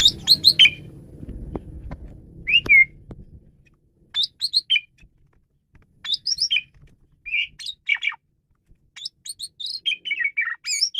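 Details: Male Asian pied starling, a lure song for training birds: bursts of bright whistled and chattering notes with sharp upward squeals, phrases separated by pauses, low rumbling background early on.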